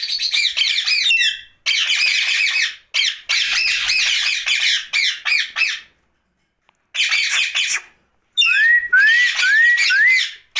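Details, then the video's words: Rose-ringed parakeet talking at night: bursts of harsh, rapidly repeated squawking notes broken by short pauses, then a run of four clear rising whistles near the end. "Night Talking parrot Mitthu Ringneck"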